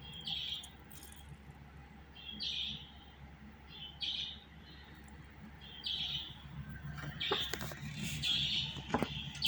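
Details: Soft, slightly slurred chirps from a budgerigar, spaced about one to two seconds apart, becoming denser and busier toward the end against a constant low hum.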